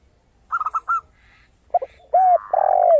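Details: Zebra dove singing, opening with a brisk series of four bright, high, clipped coos. These are followed by lower stuttering coos and a long, loud, gradually falling coo from another dove.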